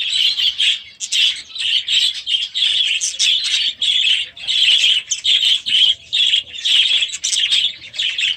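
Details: Young budgerigars in their new aviary after being released; loud, rhythmic high chirruping bursts from several birds, pulsing roughly every half second in a continuous chorus.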